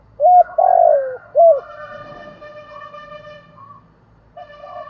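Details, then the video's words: Spotted dove, 'hạp bổi' voice, singing its calling, urging and cooing styles meant to excite other doves. A short coo, a long drawn-out falling coo and a brief coo open the clip, followed by faint sustained tonal notes over low background rumble. "Tiếng Cu Gáy Giọng Hạp BổI [ GÁY GỌI,THÚC,GÙ ]"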